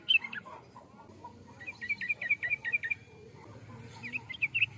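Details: Yellow-vented bulbul singing rapid strings of bright chirps, one clear run in the middle and shorter bursts at the start and end, over a faint low background rumble.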